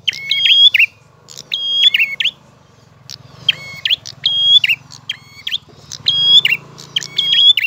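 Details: Prinia pouring out clear ngalun song: many quick phrases of a sustained whistle and a buzzy downward tail, packed closely together. Steady low rumbling noise runs throughout.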